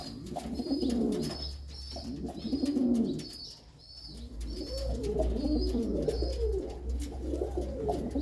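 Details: Pigeon coos after a long-single female is put back with her former mate; deep, rounded phrases swell and fade in bouts about every second or two, with a constant low hum and a thin high whine.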